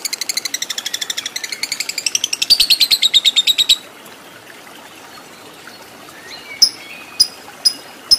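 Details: Lovebird kept for fighter training, pouring out a nearly four-second ngekek chatter of quick, piercing repeated notes that grow louder, then pausing before a few sharp single chirps.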